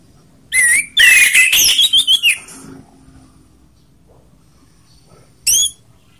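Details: Orange-headed thrush in ngeplong song, combining rough and slow voices to trigger other birds to sing; a quick run of loud, twisting whistles, then quiet, then one short high phrase.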